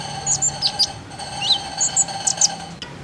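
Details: Common iora calls used as a lure to prompt ioras to sing: thin, high whistled notes in quick pairs and short slurred phrases, one lower downslurred whistle midway, over a faint steady hum.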